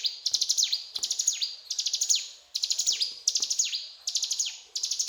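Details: Bursts of shrill, high chirping from a mountain tailorbird, each quick series closing with a falling swoop, phrases separated by brief pauses, with faint clicks beneath.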